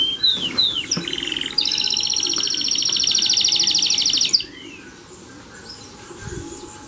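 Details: A yellow domestic canary sings loud, rapid rolling trills and buzzy tours high in pitch, opening with a few sliding whistles, then falls to quiet chirps after about four seconds.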